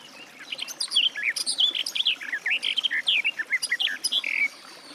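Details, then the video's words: Rapid mellow chatter of a Garden warbler (Sylvia borin): one continuous phrase of about three and a half seconds, with notes swooping up and down in quick succession. "Warbler garden, birdsong"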